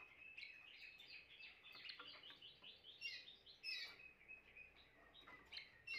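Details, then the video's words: Timbrado canary song, a continuous run of rapid high twittering notes and rolling trills with some sharper bright accents, soft hiss behind. "chant canari timbrado l meilleur chant canari l اقوى تغريد كناري"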